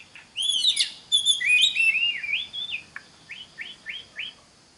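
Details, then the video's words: Oriental magpie-robin song meant for training other birds to sing: bright rich whistles and rapid slurred notes, followed by a string of four evenly spaced rising whistled notes at the close. "Pancingan Suara Kacer (Cocok) buat kacer belajar Kicau!!"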